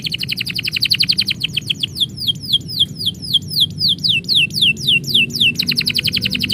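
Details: Caged canary singing as its owner is about to leave: fast trilled notes give way to a steady series of descending whistled slurs, about four per second, then a rapid trill again.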